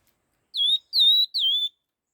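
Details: Fast stimulating song of a red-tailed laughingthrush, a run of three pure whistles, each dipping and flattening, evenly spaced with short gaps, on a silent background.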